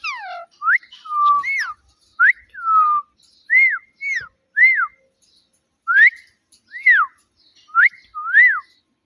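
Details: Pet parrot repeating short arched whistles, each rising then dropping, roughly two to three per second in loose sequence, with a few flatter falling whistles early on, in a quiet room.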